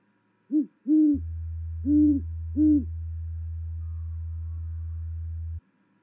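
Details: Great horned owl pair duetting around 00:34 at night on 8 November 2019 at Charlo, Montana: a deep, soft series of four hoots, one short then three longer, over a steady low electrical hum.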